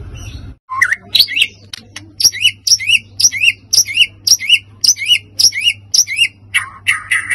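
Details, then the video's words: White-rumped shama song meant to rile other birds: after a brief rumble, a fast run of upswept whistled notes with high sharp tops, about two per second, then a burst of buzzier notes; steady low hum behind. "PACINGAN emosi murai batu pastol"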